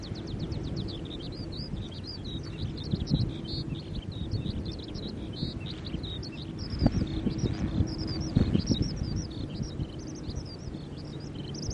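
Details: At Kasai Rinkai Park in July 2011, a skylark pours out an endless rapid flow of sharp high notes, rising and falling slurs and buzzy trills, while a deep rumble of wind or traffic runs beneath throughout.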